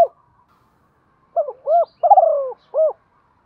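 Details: Spotted dove kept as a decoy, calling in the 'giọng thổ' voice style: a single cooing phrase of a short note, an arched coo, a trilled falling coo and a closing arched note. Otherwise quiet.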